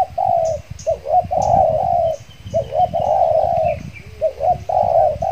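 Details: Spotted dove decoy luring wild doves in Riau Islands, Indonesia, calling again after its moult; loud mellow coos, wavering short notes leading into long level tones, repeated in quick phrases, with faint high bird chirps and low rustling noise.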